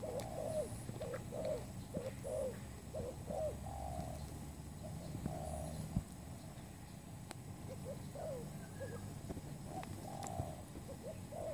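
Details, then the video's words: Spotted dove used as a trapping lure, fainter sequence of soft repeated coos spread through the recording, some notes drawn out, over steady low rumbling noise. "pikat terkukur burung baru"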